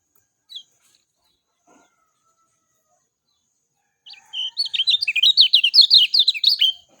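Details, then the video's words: One short falling note from a lemon-bellied white-eye, a long quiet pause, then a rapid, lively stream of high chattering, warbled notes lasting about two seconds. "SUARA JERNIH ALAMI BIKIN KECIAL KUNING CEPAT RESPON"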